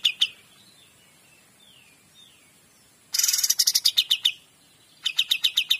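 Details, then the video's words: Cream-vented Bulbul (kapas tembak) in 'gacor dor' song: a brief chip, gliding thin whistles, then a harsh noisy onset giving way to a quick series of bright repeated chips, a pause, and another short chipping run. "KAPAS TEMBAK GACOR DOR"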